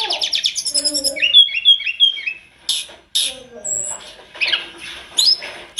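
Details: Sunda robin, a lively continuous master song full of varied phrases: rapid repeated high chirps, then ringing whistled notes around mid pitch, sharp buzzy bursts and trills, with short pauses between phrases.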